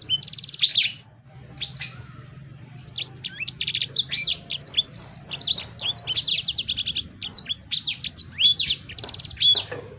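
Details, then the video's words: Sanger bird in full song, used to coax another sanger bird to sing: an opening high trill, a brief pause, then a lively, nonstop stream of shrill whistles, chirps and rattling trills. "Burung Sanger Anda Bunyi Seketika"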